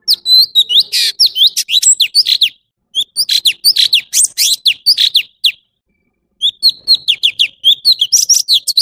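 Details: High, fast song of an orange-bellied leafbird: chattering sequences of slurred whistles and scratchy notes, about two seconds each, with a clear gap before the next phrase.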